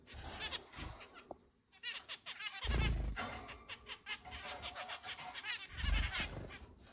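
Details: Several of a group of eight pet zebra finches, kept in a large cage and free-flying indoors, give nasal, honking beeps and quick chatter in a busy overlapping stream with low thumps underneath; 10 July 2022.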